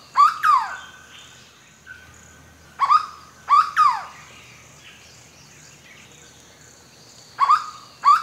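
Hooded berryeater giving loud, ringing notes in pairs that drop sharply in pitch, repeated every few seconds over a quiet background.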